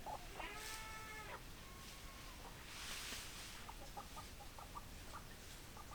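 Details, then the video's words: Chickens, hens and roosters: a drawn-out harmonic squawking call lasting about a second opens, then a run of short, quick clucks repeated several times a second, over steady background hiss. "Chicken Sounds Noises Hens Clucking Roosters Crowing"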